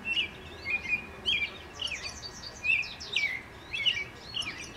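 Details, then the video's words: A European robin perched on a garden fence sings at length, a run of high, thin, liquid phrases, some rising and some falling, with short pauses between them, over faint steady background hiss. "Robin Singing"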